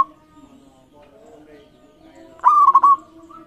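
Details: Zebra dove singing, used as a master track to get other doves to sing: one brief burst of rapid cooing notes near the end after quiet, with a faint low hum underneath.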